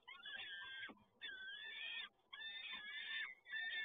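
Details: Male peregrine falcon bringing another prey item at Toruń, 7 May 2022: loud, rough, wailing calls in three long bursts of about a second each, pitch warbling up and down, short pauses between.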